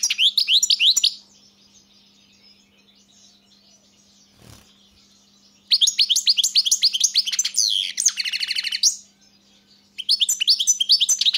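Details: European goldfinch singing bursts of fast, bright twittering with rattling trills, separated by a long quiet gap broken only by one soft thump, then resuming with more tinkling phrases.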